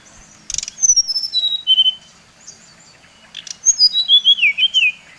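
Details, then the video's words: Brown-chested jungle flycatcher, Bali type, as a rival-provoking lure: two whistled phrases with a rasping burst before each. Notes tumble from very high pitch downward in a quick series. "Suara SRDC Bali Paling di sukai srdc lain | Pancingan Srdc bikin srdc lain naik emosi"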